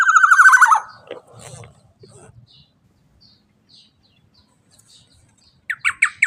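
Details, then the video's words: A loud, prolific black-naped oriole, whose call is used to spur other birds into song, gives a rapid nasal rattle of repeated pulses that ends abruptly. A few faint chirps follow, then a second harsh, choppy phrase starts. "Pancingan Suara KEPODANG EMAS Teler GACOR LANTANG Cocok Untuk Pancingan Burung Bahan agar bunyi"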